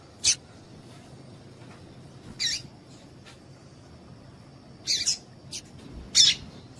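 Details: Female Double-collared Seedeater call for stirring a male into song. Short, high, buzzy chips come singly and in a loose cluster near the end, with a faint steady high tone underneath.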